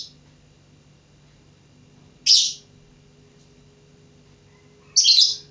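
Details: Lovebird learning to sing: two loud, harsh, high chirps, one after about two seconds of near silence and another near the end, over a steady low hum.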